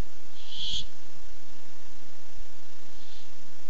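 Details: Barn owl that came by looking for food, recorded 8-7-15: one loud, harsh, hissing screech of about half a second, then a much fainter one near the end, over a steady low hum.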